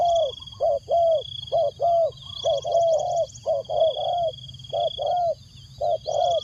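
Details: Spotted dove used as a decoy to call in wild doves, giving dense, overlapping low coos in short rounded pulses, nearly continuous with brief gaps, above a constant high-pitched insect buzz.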